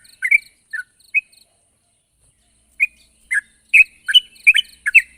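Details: Yellow-vented bulbul calling a rival: a few sharp chirps, a pause of about a second and a half, then a quicker burst of bubbly, overlapping notes, with a faint high tone in the background.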